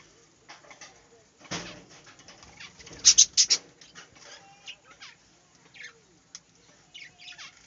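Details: Budgerigars kept in a small aviary chatter with scattered high chirps, a loud burst of buzzy notes near the middle, and softer twittering between, over quiet background.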